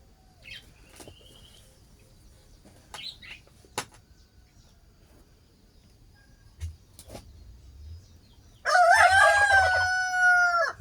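A rooster gives one loud, harsh crow of about two seconds, holding a steady pitch before dropping off, after a stretch of faint clicks and chirps.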